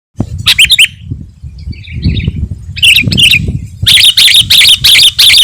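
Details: Sooty-headed bulbul song, used to lure wild birds and provoke rivals: bursts of bright, rapid chattering notes, then a run of evenly spaced loud chirps, over low rumbling background noise.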